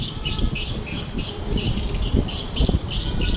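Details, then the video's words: Edible-nest swiftlet linked to swiftlet farming, giving rapid, repeated high twittering chirps in quick pulses, several per second, over a steady low rumble with occasional soft thumps. "Tiếng kêu chim yến sào"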